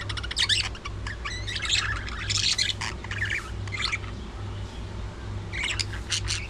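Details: Budgerigars at early morning feeding, with loud scratchy chatter, squawks and rising chirps in overlapping bursts, a quieter gap midway, then more chirping near the end over a low mechanical hum.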